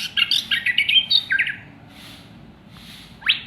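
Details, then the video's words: Caged white-rumped shama, a contest champion, singing a loud burst of rapid whistled notes and sweeping slurs, then a pause with faint distant chirps and a final quick rising note. "Burung Murai Batu Juara‼️Volume Kencang Dan Pedas‼️"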